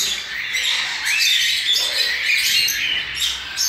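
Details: Hand-fed young cockatiels, a group that recently fledged, beg during feeding with rasping, wheezy, buzzy calls that run together in an unbroken hissing chorus, rising slightly in loudness midway.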